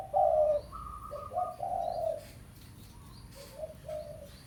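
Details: Spotted dove, pesom-style tekukur, calling to a rival as a lure: a loud husky coo opens, then lower cooing phrases overlapped by brief higher tones, fading to softer coos near the end.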